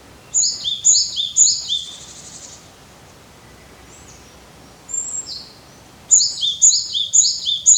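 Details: Japanese tit spring-to-early-summer song: bright, high two-note phrases, about two per second, in two short bursts with a single thin note between them.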